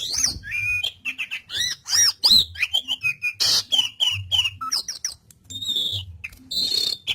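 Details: Training song of an Asian pied starling (jalak suren) in lively gacor form: a rapid jumble of squeaky whistles, rasping squawks and buzzy notes, about three per second, over a soft low hum.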